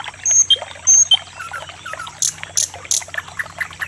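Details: Common nightingale (sikatan londo) giving pure high whistled notes in pairs, soft warbled twitters, then several sharp explosive high clicks spaced about a third of a second apart, with a faint low hum.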